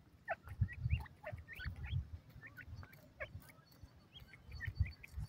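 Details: Francolin hen, known as madi teetar: rapid, irregular chatter of short upslurred chirps, about three per second, over repeated low thumping noise.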